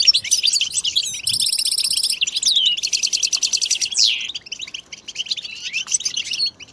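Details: Several European goldfinches in a group song meant to stir silent males into singing: bright twittering with a steady buzzy trill held for under a second, then a dense rattling burst and a sliding, descending phrase before lighter chirps.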